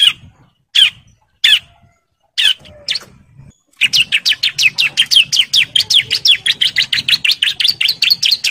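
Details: Male bar-winged prinia in breeding condition calling females: a few spaced, harsh single notes open the song, then it breaks into a long, rapid run of clipped chirps delivered at full power.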